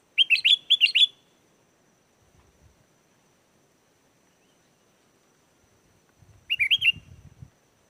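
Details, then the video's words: Lure song of a sooty-headed bulbul for drawing wild bulbuls to reply: two short bursts of bubbly, liquid rising notes separated by several seconds of quiet, with faint low thumps near the end. "SUARA GACOR BURUNG KUTILANG!! KUTILANG LIAR AUTO LANGSUNG NYAUT DAN IKUT GACOR"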